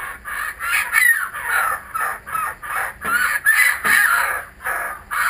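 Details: Kookaburras returning give loud, regularly spaced bursts of harsh cackling laughter, each note rough and broad, repeated steadily across five seconds.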